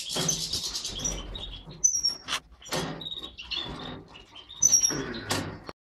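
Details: A captive pair of mutant European goldfinches, a satiné male and a yellow parva female, in an aviary, giving scattered high, thin chirps and brief whistled notes amid twittering, with clicks and rustling throughout.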